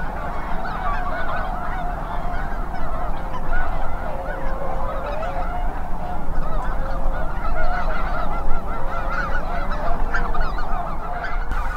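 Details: Tens of thousands of Snow Geese with Greater White-fronted, Ross's, Canada and Cackling Geese during migration in Grant County, Minnesota. An unbroken wall of honking and high yelping calls, many birds overlapping at once, over a constant wind roar.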